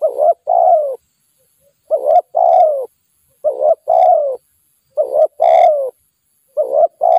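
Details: A wild spotted dove, lured by a decoy, coos persistently. Repeated phrases of two short notes and a longer descending coo come roughly every 1.5 seconds, about five times, in a clear quiet setting.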